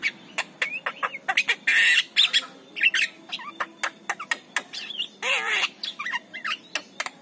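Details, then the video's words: Javan myna morning song meant to lure other mynas: a steady run of sharp clicks and brief whistled notes broken by two loud, harsh rasping squawks, the second with a wavering tone, over a low background hum. "JALAK KEBO || SUARA BEGINI WAJIB DIPUTAR DI PAGI HARI UNTUK PANCINGAN"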